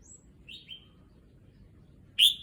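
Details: Red-whiskered bulbul in a cage, settling into new surroundings; faint high thin whistle, two soft slurred notes, then one loud bright whistled chirp at the end.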